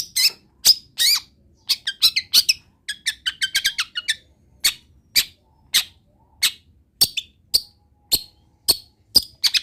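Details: Long-tailed shrike song crowded with wild-bird imitations: a fast chattering trill of high notes in the middle, framed by loud separate chips spaced about every half second.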